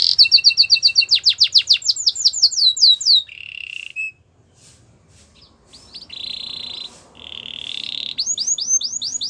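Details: Singing Gloster canary: quick descending whistled notes repeated in a fast series, then buzzy rattles and steady rolled tones, ending with a row of rising chirps.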